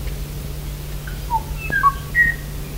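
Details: Kāmaʻo (Myadestes myadestinus) song recorded on Kauaʻi, Hawaii, in 1989, the year the species was last seen and declared extinct: a handful of clear, fluty whistled notes at shifting pitches over a low electrical hum.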